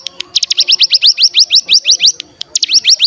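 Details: Bar-winged prinia in fast 'bren' style, used as a lure to set other birds singing: a rapid run of rising high notes, about six per second, briefly broken then resumed.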